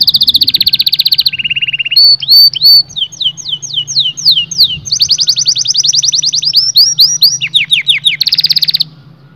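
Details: Canary singing to stimulate males and females to mate. Buzzy rapid rolls alternate with lower trills, then falling whistled sweeps and quick repeated-note tours, ending in a loud dense roll.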